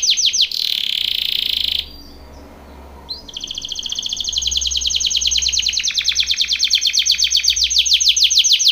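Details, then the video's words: Canary training song: a loud steady buzzy trill, a pause of about a second, then a long rapid pulsing trill that speeds and swells over several seconds, with a low hum underneath. "BEST canary singing / CANTO CANARIO CANTANDO FOR TRAINING / CANARY TRAINING SONG"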